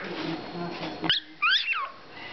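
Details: Pet Hahn's macaw gives a short burst of reedy, warbling notes that bend up and down, just after a person's voice and a sharp click. The bird also says 'Hi Peanut'.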